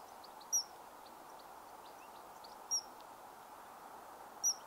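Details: Common kingfisher calling: three short, sharp, very high piercing whistles, each a brief single note, spaced about two seconds apart over a quiet steady background hiss with faint high chirps.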